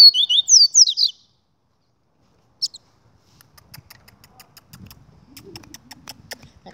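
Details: Double-collared seedeater singing the 'Gladiador' style: a quick phrase of sharp, slurred, high whistles, followed by a single short chip and then light clicking and soft rustling noises.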